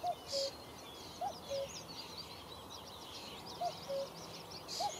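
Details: Common cuckoo calling on a sunny May morning in Achterveld, Netherlands: clear two-note cu-coo, higher note then lower, repeated four times, with busy twittering songbirds in the background.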